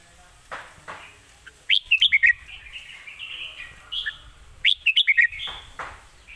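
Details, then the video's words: Red-whiskered bulbul, described as a rising star with good song phrasing, delivering two clear bursts of rapid, liquid whistled notes about three seconds apart, with faint low chatter and a few knocks between them. "สำนวนดี ปากเบานกดาวรุ่ง"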